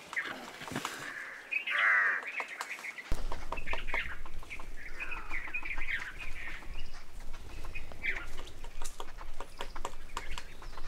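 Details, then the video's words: Black-rumped flameback giving short, strident rattling bursts of harsh notes, repeated every second or two, over a steady low rumble and scattered clicks. "Black-rumped flameback sounds"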